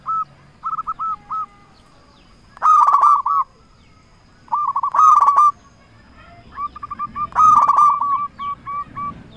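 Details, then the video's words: Local zebra dove lure call meant to stir rivals to reply: short bursts of soft rolling coos recur every couple of seconds, louder strident phrases alternating with quieter bubbling runs, over a low steady background hum. "Perkutut Lokal Gacor Raja Pikat Paling Ampuh Ahlinya Bikin Lawan Gacor Nyaut"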